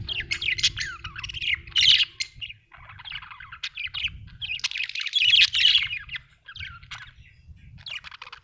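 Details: Budgerigar giving loud, fast chattering warbles and sharp chirps in several bursts separated by short pauses, with a faint low hum behind.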